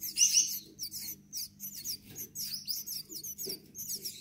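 Gouldian finch chicks give a steady stream of thin, high, hissing-buzzy calls in quick bursts several times a second, over a faint low hum.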